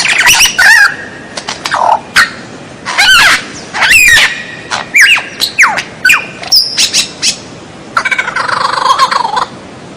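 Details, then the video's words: White-rumped shama song meant for training caged birds: varied loud phrases of rising and falling whistles, harsh squeals and chattering bursts in quick succession, ending with a longer rasping passage. "MASTERAN MURAI BATU SUARA ANEH"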